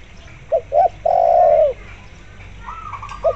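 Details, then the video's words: Spotted dove in full voice, used to lure zebra doves into calling. It gives a short-short-long coo phrase, followed by a fainter, higher, rapidly stuttering coo series from a zebra dove. "tekukur gacor di iringi suara perkutut lokal gacor untuk pancingan"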